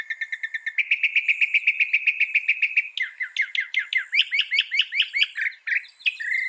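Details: Northern mockingbird song, loud and fast: a rapid, even series of clicking notes for about two seconds, followed by quick varied downslurred whistles and chirps.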